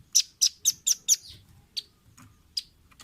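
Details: Velvet-fronted nuthatch, recorded as a tutor for caged birds: five loud, evenly spaced piercing chit notes about a quarter second apart, followed by a few fainter single chips.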